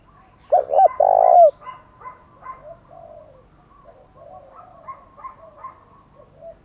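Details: One loud spotted dove phrase, two short coos and a long rolling coo, used to provoke wild birds. Softer, more distant cooing follows for several seconds.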